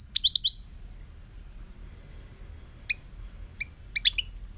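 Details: European goldfinch in 2018 giving a short, quick cluster of four bright, high chirps, followed by a few widely spaced sharp single and double notes in quiet surroundings.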